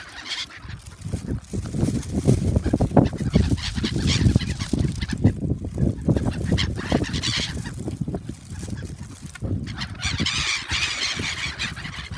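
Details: Many gulls gathering noisily while being fed at Shin-Okayama Port park, Japan, on February 3, 2021; overlapping harsh, honking calls in quick bursts over a steady low rumble of wind or handling noise.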